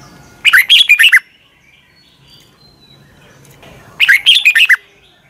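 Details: Morning song of a red-whiskered bulbul, used as lure song for training birds. Two rapid, chattering phrases of five or six whistled notes each, spaced about three and a half seconds apart, with quiet between.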